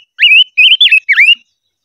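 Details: Silver-eared mesia singing hót ché during voice training: a fluent phrase of four linked whistles, first rising, then level and warbling, ending in a V-shaped dip and rise.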